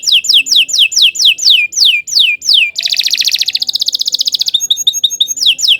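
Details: Caged canary singing a long continuous song for tutoring young birds: runs of quick descending whistled sweeps, then a dense buzzy trill, then fast metallic chattering notes, all high-pitched with no other sounds.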